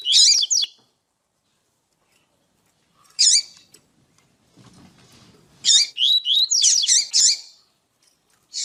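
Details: A female double-collared seedeater (coleiro) gives high, thin chirps in short bursts, with a quick run of sweet twittering notes near the end and a low rustle between. These female calls are used to stimulate males to sing.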